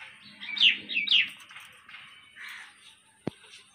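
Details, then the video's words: Talking hill myna giving two quick bright chirped notes, then softer voice-like mumbled syllables and a single sharp click, with a faint steady hum underneath. "Amazing Talking Hill Myna | Talented Talking Myna Bird"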